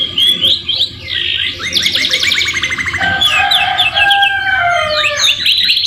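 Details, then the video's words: Singing canary in a tutor recording full of white-rumped shama (murai batu) material: a fast ticking trill, then long drawn whistled tones sliding downward, ending in quick rising chirps. "MASTERAN KENARI MEWAH SAMA SAMA FUL ISIAN MURAI BATU | CANARY SINGING"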